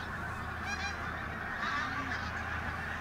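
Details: Mobile flock of pink-footed geese over Martin Mere reserve in Lancashire, 8 October 2012, bright weather; dense continuous gabbling of many birds, occasional higher yelping notes standing out.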